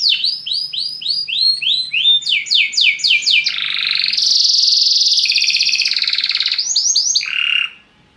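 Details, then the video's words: Belgian canary song for animating other birds: series of quick rising notes repeated several per second, sliding into a loud continuous buzzy roll, lower buzzy notes, then silence. "CANTO DO CANARIO BELGA PRA ANIMAR SEUS PASSAROS"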